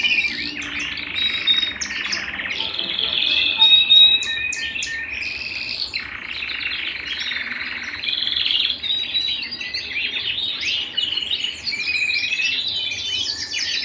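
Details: Canary singing at home in a long sustained performance: rapid trills, rolls and whistled notes in varied phrases, loud and continuous, with brief pauses between sections.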